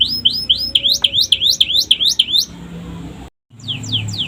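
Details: A canary sings notes copied from the sikatan londo flycatcher, used as a training model for other birds. Looping whistled notes repeat roughly three per second, then a faint thin trill, a short silence and several falling notes.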